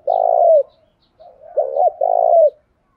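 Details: Spotted dove used as a morning decoy for wild males: a long buzzy coo, a pause, then two quick looped notes leading into another drawn-out, slightly falling coo.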